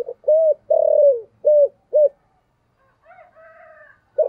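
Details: Decoy spotted dove cooing in the 'giọng thổ' style to lure wild doves: a low hollow phrase with a long falling central coo and rounded notes, followed by fainter higher calls from another bird and the start of a new coo.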